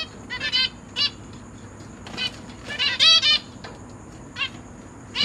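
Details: Caged zebra finches with newly hatched babies and three juveniles, fed by their parents: scattered soft nasal calls building to a louder run of stacked notes around three seconds, then trailing off.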